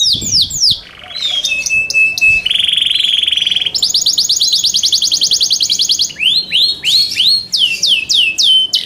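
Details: A captive Yorkshire canary, recorded as song material for singing competitions, sings a loud, varied song: rapid descending whistles, a steady buzzy note and a fast rolling trill of repeated chips, with no other sounds.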